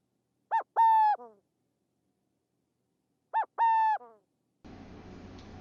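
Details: A Burrowing Owl of Texas, active by day, gives two nasal little barks about three seconds apart, each a quick note then a longer level one trailing downward; a burst of noise follows.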